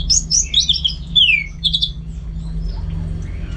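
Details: Caged orange-headed thrush from North Bali giving a short, rich song of warbled and slurred whistles that drop in pitch, fading into quiet room hum after two seconds.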